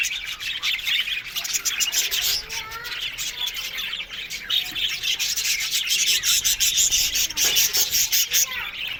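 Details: Budgerigars in an aviary colony, a dense, continuous chorus of overlapping chirps, squeaks and warbled chatter from many birds, with a scratchy rubbing texture throughout.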